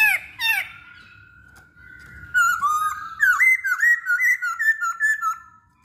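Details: Lure song of a masked laughingthrush meant to set other birds singing. It opens with a couple of sharp notes and a long steady whistle, then rapid repeated rising-and-falling whistled notes, loud and clear.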